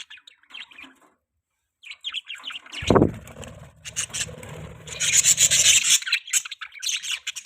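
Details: Pet budgerigar chatter: sparse thin chirps at first, then a sudden low thump and dense, rapid high twittering overlaid with rough scratchy noise.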